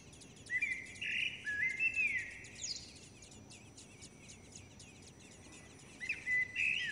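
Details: Nestling common blackbirds fed by both parents: shrill, upslurred begging squeals in rapid overlapping bursts, a pause, then a fresh loud flurry near the end, over faint rustling and quiet outdoor ambience.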